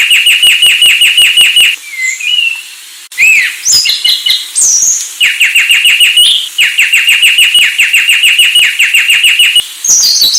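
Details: Sulawesi myna delivering long fast runs of sharp downward chips, about ten per second, interrupted by varied whistles, squeals and slurred notes before the rapid series resumes.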